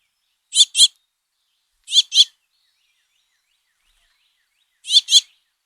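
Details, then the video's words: House finch fledglings begging for food while the father feeds them, giving paired harsh, buzzy high chips in three bursts spaced about one and a half to three seconds apart. "House Finch Calls - Father Finch Feeds Fledglings"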